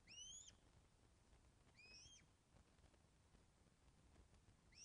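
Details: Loch of the Lowes osprey nest, Scotland, recorded by webcam on 24 August 2012 at 14:10 during a fish delivery; thin, spaced rising whistles roughly every one and a half seconds against faint background noise.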